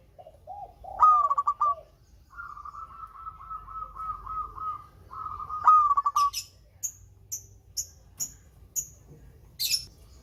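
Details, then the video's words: Melodious local zebra dove, used to prompt quiet birds into song, gives pulsed, vibrating coo phrases, including a long steady trilled stretch. A rising, stuttering phrase follows, then a series of short, high, sharp chirps from another bird. "Perkutut LOKAL SUARA MERDU"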